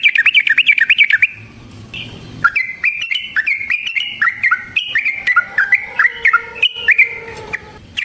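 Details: Sooty-headed bulbul giving a long 'ropel' song for trapping lures: a fast rolling trill opens, then after a short pause come varied whistled and chattering phrases jumping up and down in pitch.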